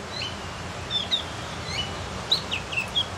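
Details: A learning Javan Grey-throated White-eye, locally called cucak gentong: sparse high whistles and brief slurred notes, irregularly spaced, over faint constant noise.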